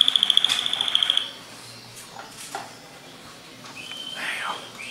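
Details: Malinois Waterslager canaries, pairs ranked first at an interregional Calabria–Sicily championship held in Calabria, 30 November to 6 December 2015. A rapid run of bright repeated notes lasts just over a second, then faint soft trills follow over indoor room noise.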